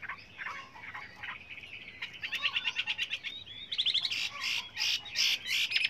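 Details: Chinese hwamei in varied song, meant for training. Soft warbling gives way to loud, rapid, chattering bursts and high, sharp repeated notes against a noisy background.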